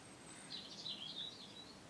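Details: A European Robin sings a thin, high, warbling phrase just after rain as the sun comes out, faint and distant over a quiet background hum.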